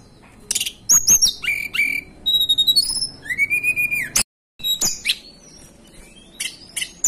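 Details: High, clear whistles from a hill blue flycatcher of the Banten and West Java highlands, Indonesia, mixing flat sustained tones, an arched sliding note and quick chirps, interrupted by a brief silent gap before more twittering.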